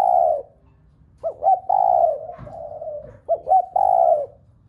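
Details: Spotted dove giving repeated coos to excite other doves into cooing: a long low coo, then two phrases of quick double hoots followed by sustained, slightly falling coos, with a softer trailing coo between them.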